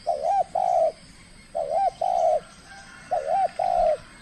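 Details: Trained spotted dove from the Riau Islands, Indonesia, in its first calling contest bout, calling aggressively: three mellow two-part coo phrases, each a wavering note then a longer steady one, repeated about every one and a half seconds.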